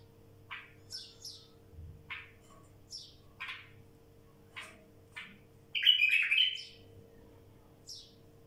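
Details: Wild bulbul song: a run of short sharp chirps roughly every half second, broken by one loud, fluty, warbled phrase midway, then more scattered high notes.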